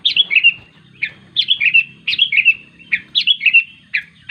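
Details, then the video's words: A sooty-headed bulbul calls its companions in a fast, almost continuous series of bright chirpy phrases, several short falling notes each, with a soft low hum in the background. "Suara Burung Kutilang Memanggil Teman"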